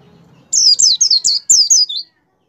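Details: Single lively song phrase from a caged white-eye, used to get other kept white-eyes singing: about one and a half seconds of fast, high, slurred notes that step gradually downward.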